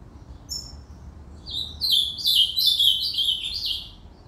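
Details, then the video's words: Ultramarine grosbeak song: brief high notes, then a lively run of quick, sweet warbled notes that slur down and up for about two seconds before fading out. "Reinamora cantando ( Azulao cantoria)"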